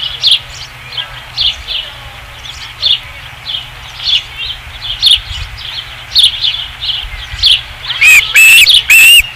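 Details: Osprey at the nest on 5 August 2016, a run of soft, high chirps repeated roughly twice a second, ending in three loud, sharp whistled calls.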